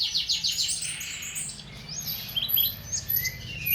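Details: A masteran bird song for tutoring caged birds opens with a quick burst of sharp repeated chirps, then gives varied whistled phrases and short rising slurs, with a faint low hum.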